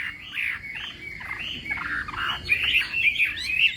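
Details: Chinese hwamei morning contest singing, softer and more muffled here: repeated slurred whistled notes over a noisy background, becoming brighter and louder near the end.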